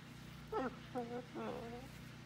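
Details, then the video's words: Pet blue-and-gold macaw on a farm, talking with its owner: three short voiced 'hello'-like phrases with stacked harmonics, spaced about half a second apart, over a low steady hum. "Talking With My Friend The Macaw Parrot"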